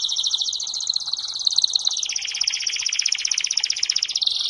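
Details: Canary singing as a training bird: a long rapid rolling trill that dips lower midway into a fuller rattling tour, then rises back to a higher, clear trill.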